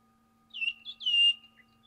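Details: Wild Pink Cockatoos, a threatened species in Victoria, in a group feeding in eucalyptus near Patchewollock in the Mallee, Victoria; three clear whistled, slightly wavering notes in quick succession, the last longest and loudest, over a quiet background.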